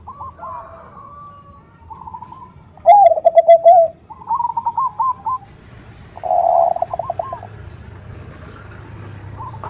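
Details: Perkutut, the zebra dove, female calling a male with the 'nutut' sound: several phrases of stuttered cooing, a deep rolling coo, buzzy trills and a mid-pitched warbling burst, separated by short pauses.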